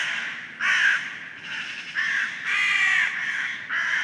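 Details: Early-morning crows giving loud, harsh caws in distinct half-second bursts, some with a hoarse falling tone, several birds calling in turn.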